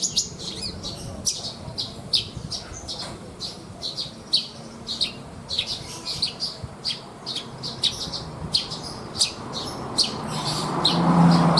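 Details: Caged contest Horsfield's bush lark delivering its 'isian' song, a long stream of sharp, clicky high chirps in uneven rapid bursts, while low rumbling noise rises toward the end.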